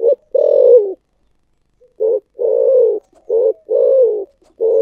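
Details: Spotted dove cooing in the thổ sấm voice style with thúc gù cooing: a series of deep, low coos, some held and gently wavering, others short, about six phrases in five seconds with clean silence between.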